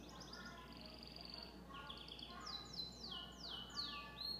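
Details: Belgian canary kept by its owner, singing a lot: quiet, fast varied phrases of short notes, then repeated quick descending sweeps and brief rattling trills, over a steady low hum.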